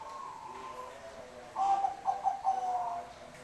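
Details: Zebra dove of the Bangkok type, singing actively: a short run of clear, low cooing notes, a drawn note followed by quick stuttered beats, over a faint hiss.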